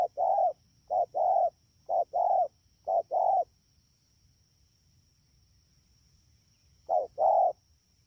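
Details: Wild-caught spotted dove in rainy season, Đak Tô, 3 October 2019: four fast short-long coo pairs, then three seconds of quiet with a faint high steady tone, then one final pair.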